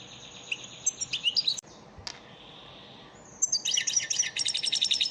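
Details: European goldfinch lesson song for caged birds: a run of high tinkling twitters, a sharp click, then a pause with a soft fading note before a dense, fast trilling stream of bright chattering notes.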